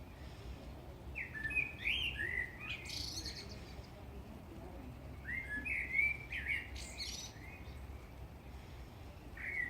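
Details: Blackbird singing: fluting, warbled phrases of mellow whistled notes, each ending in a higher twittery flourish, delivered in bursts separated by pauses of a few seconds over a low steady background hum.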